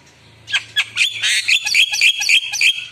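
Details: Gacor Javan myna pouring out a dense, scratchy stream of squawks and chattering notes, interspersed with thin whistles, after a brief quiet start.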